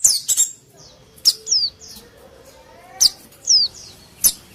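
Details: Quieter white-eye (pleci) calling, a lure for wild small birds: thin, high, sharp chips and a few softer falling whistles, with a faint low hum underneath.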